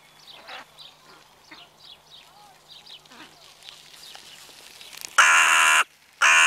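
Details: Evening crows: after several seconds of soft, high chirping from small birds, two very loud, coarse, grating caws burst in near the end, the second cut short.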